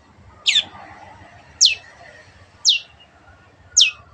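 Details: Long-tailed shrike (cendet) from a training recording for kept birds: four sharp, high, downward-sliding single notes spaced about a second apart over a hissy, murmuring background.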